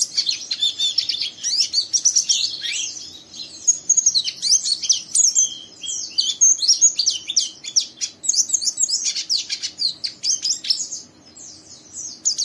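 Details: Young captive Oriental white-eye singing a rough, fast twitter that prompts another white-eye to join in: a continuous stream of high, thin twittering notes, busy and unbroken, with a faint low hum underneath.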